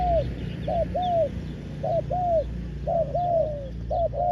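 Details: Ground decoy spotted dove cooing to draw in wild doves: a steady run of arched coos, mostly in linked pairs with the second note longer, about one group per second over a low background hum.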